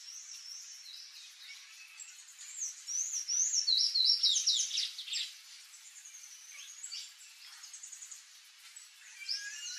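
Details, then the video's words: Palm tanager, known locally as sanhaço-do-coqueiro, singing: a rapid, squeaky jumble of high slurred notes, loudest in the middle, over a steady background hiss with faint chirping from other birds. "SANHAÇO-DO-COQUEIRO (THRAUPIS PALMARUM), PALM TANAGER, SANHAÇO-VERDE, PIPIRA-VERDE."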